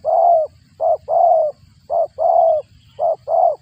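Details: A spotted dove feeding young gives low, breathy coos in a short and long pattern, seven notes in under four seconds, against a faint low hum.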